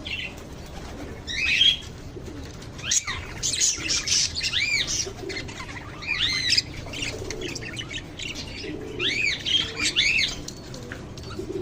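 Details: Lovebirds calling in a flock give distinct, loud, arched chirps, often in quick pairs or triplets, separated by quieter gaps, over a faint hum.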